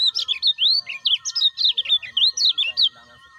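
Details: Continuous, dense chatter of quick rising and falling whistled notes, roughly a dozen per second and a half, from a lemon-bellied white-eye used as a lure for caged birds, with a faint steady tone underneath.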